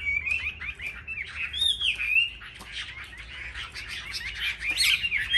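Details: Caged Chinese hwamei singing in competition: clear whistled slides at first, then a denser, slightly scratchy jumble of overlapping notes with occasional sharp clicks, over a low background rumble.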